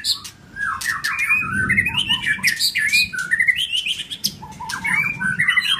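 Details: White-rumped shamas, a newly arrived male challenging a rival, trading dense song: rapid whistled and warbled phrases sweeping up and down, sharp chattering notes overlapping throughout, with faint low rumbling underneath.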